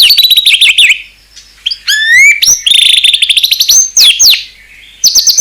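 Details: A white-rumped shama sings a fierce isian song: warbling trills, a set of rising upslurred whistles, a fast rattling run and high ringing notes.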